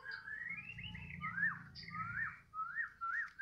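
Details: White-rumped shama (murai batu) from Medan in the afternoon: clear whistled phrases that rise and then fall, given in quick succession, with a soft low hum behind.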